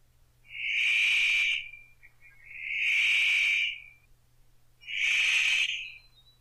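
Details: Young male Paradise Riflebird practising his courtship display in lowland rainforest of northern New South Wales, giving three drawn-out raspy, hissing calls at steady two-second intervals, loud and echoing, with nothing else audible.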